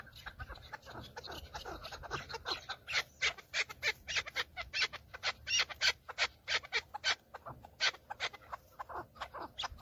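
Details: Male chukar partridges fighting during the breeding season, displaying for females, filmed from a car. Quieter start, then loud rapid chuk-chuk notes repeated about three per second, sharp and rasping, with several birds overlapping.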